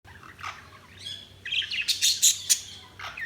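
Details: Budgerigars chirping: scattered high, bright chirps and short warbles, quiet at first, then a louder burst of sharp notes in the second half, with a low steady hum underneath.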